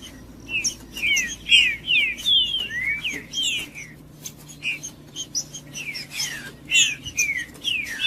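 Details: Green-winged Saltator, locally trinca-ferro, singing to get a quiet captive bird going: lively phrases of bright swooping whistles, dipping and rising, in two bursts with sharp ticking sounds between.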